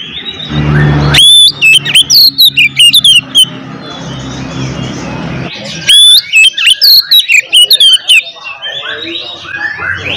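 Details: Oriental magpie-robin in aggressive fighting song, aimed at provoking other magpie-robins: two loud bursts of rapid high whistles, sharp chips and slurred notes separated by a quieter noisy gap.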